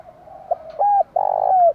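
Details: Spotted dove giving an urgent cooing sequence meant to stimulate wild and decoy doves to coo: a soft murmur, then firm level coos with one slightly rising, gently descending at the end.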